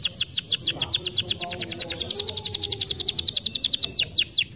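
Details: Canary singing, used to encourage lazy birds to sing. The song is a fast, even train of bright, high, downward-sweeping notes, about seven each second, with a soft low background hum throughout.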